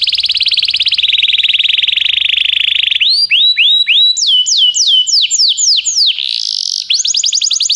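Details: Belgian canary singing to stimulate other canaries: a long fast rolling trill for three seconds, then repeated sharp falling whistles, a brief steady tone and a closing rapid trill.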